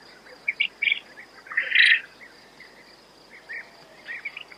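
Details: Quail calls: several quick chirps, then a louder, fuller burst near the middle, followed by scattered quieter chirps against a low background hiss.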